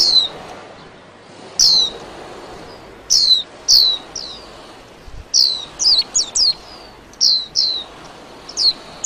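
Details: Warbling white-eye giving scattered high, thin notes that each slide sharply downward, spaced a second or more apart at first, then in a looser cluster of four or five near the end, over a soft background hiss.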